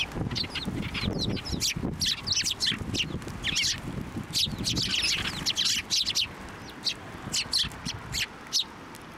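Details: Sparrows gathering on and around a feeding hand at a Tenmangu shrine in March 2024, giving rapid bright chirps in bursts that thin toward the end, over soft low background rumble.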